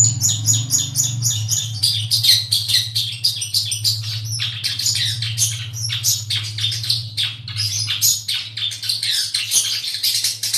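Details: Long-tailed shrike in song, a dense stream of harsh chattering and scratchy high notes with interwoven whistles, over a low steady hum.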